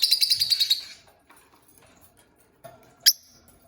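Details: Peach-faced lovebird, one of a newly kept pair, giving a rapid run of high, harsh chirps for about a second, then a quiet gap and a single sharp squeak near the end.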